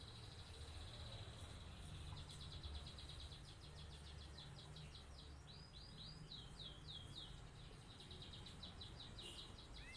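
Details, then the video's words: Canary delivering a long rolling song used to teach other birds by imitation. Fast, faint high trills of repeated curved notes change type every second or two, with strong low background hum throughout. "Kenari gacor cocok buat pancingan atau masteran burung"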